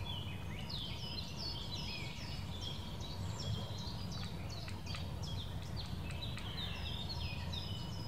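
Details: Eurasian nuthatch recorded in the Wittlicher Senke, uttering rapid, ringing, downward-swooping piping notes in a continuous series over a low, steady rumble of background noise.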